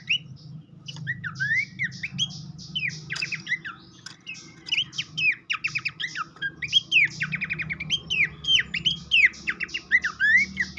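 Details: Babbler singing as a lure to encourage a raw captive bird to sing: lively stream of looping rising whistles, squeaky notes and fast trills, thickening toward the end, with low hum underneath.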